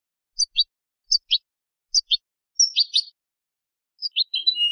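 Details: European goldfinch hybrid song used for teaching young birds: short high chirps in pairs, spaced about a second apart, ending in a brief buzzy phrase, on a silent background.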